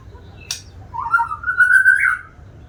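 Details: A single white-rumped shama phrase: a click, then a drawn-out whistle that climbs slowly and rises at the end.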